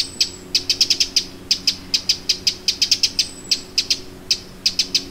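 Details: Eurasian wren alarm at Lake Vänern, Sweden, late July 2017: crisp clicking notes in uneven quick groups, a soft high whistle overhead and a low droning hum behind.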